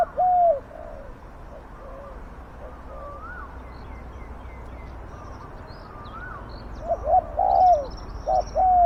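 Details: Spotted dove used to lure wild doves, heard as loud husky coos at the start and again near the end, with softer distant cooing between and a few high, thin chirps of other small birds.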